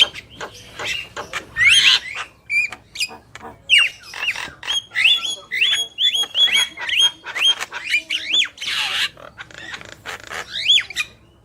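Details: Javan myna male and female singing actively: a string of clear rising whistles repeated about every half second, broken by harsh noisy squawks and clicks.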